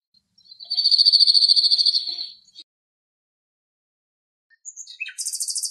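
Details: Male Cirl Bunting on a rock in Greece, overcast with wind, gives a steady dry trill of rapid repeated notes, followed after a pause by a few short chips and a higher, thinner buzzy trill.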